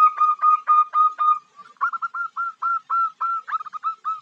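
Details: Female zebra dove luring a male. Rapid staccato notes give way to a string of bent, whistled notes rising then dropping, roughly four each second.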